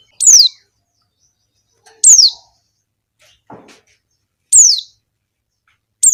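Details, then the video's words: Female Javan white-eye calling to attract males, used as a lure for wild white-eyes: sharp, high notes sliding steeply downward, repeated about every two seconds, with a faint soft sound between calls. "suara pleci betina untuk pancingan pleci ombyokan"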